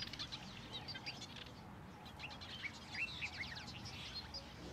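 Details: Southern masked weaver in Benoni, Gauteng, South Africa: a busy run of short, sharp, high chirps and chattering notes, with a soft rush of background noise and possible wing flutters.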